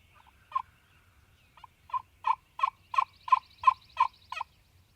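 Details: Spring gobbler in Mississippi sounding off in the morning: one early rattling burst, then a run of around ten rapid, evenly paced gobbling pulses with a harsh, rolling quality, faint rustling noise underneath.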